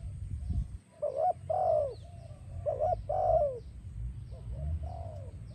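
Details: Spotted dove song for attracting and training doves: two full phrases of quick coos and long falling coos, then softer trailing notes, over a low hum.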